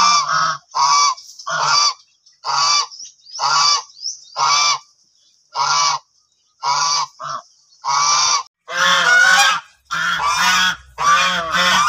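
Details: White geese, males and females, honking loudly about once per second: the females' calls are clear and ringing, the males' are hoarse and low, growing rougher and denser toward the end; Goose.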